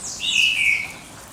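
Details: Bird singing at dawn: a single clear, high whistled note sliding downward, bright and brief, over a quiet background.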